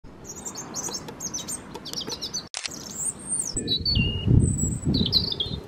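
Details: A European robin sings from a holly tree in a North Devon garden: thin, high, liquid phrases of sliding whistles and quick trills, broken by short pauses, over a steady low wind rumble.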